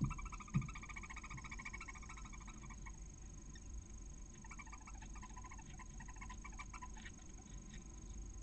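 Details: Female barn owl calling to the first chick hatching from six eggs in a nest near Casa Palillos, Cabañeros National Park, Spain. A long series of rapid ticking pulses, fading, then a fainter second run, over low hum.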